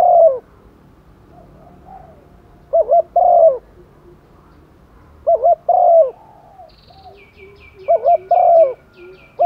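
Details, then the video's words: Female spotted dove calling males in the rainy season, kept as a lure. Three phrases of two clipped hooked coos plus one longer warbling coo, spaced roughly three seconds apart. A series of thin high chirps from another bird is heard near the end. "chim cu mái mồi gáy gọi chim trống mùa mưa, tiếng chim cu mái"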